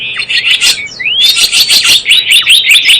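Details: Java sparrow lure sound for trapping: soft, busy chirping, a clear upward-sweeping whistle, then a steady stream of sharp high chirps about every quarter second.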